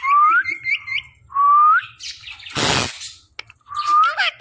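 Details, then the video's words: Rising whistles from a talking pet parrot slide upward three times, with chirps in between. A loud broadband rustle or clatter breaks in midway. "this Parrot talking are non stoppable"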